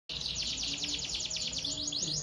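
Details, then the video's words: A Timbrado canary sings a fast, bright trill of rapidly repeated high, downslurred notes, about ten per second, with a faint low hum underneath. "canary singing bird"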